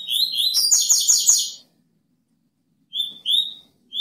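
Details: Double-collared seedeater, song described as 'cortando canto': clear slurred whistled notes that run into a fast, buzzy, harmonic-rich rattling phrase of about a second and a half. After a pause come three more whistled notes. The background is quiet.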